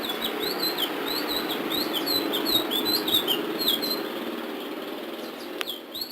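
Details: A ledekan laut sings in the sulingan biru style, rapid chains of high, slurred whistled notes bouncing up and down for several seconds, then fading, over a steady hiss and a sharp click near the end.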